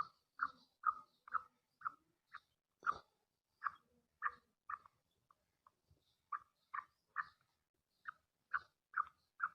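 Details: A female black francolin repeats brief, clipped calls to stir the male, about two notes a second in loose groups, with a few softer notes and a short gap near the middle.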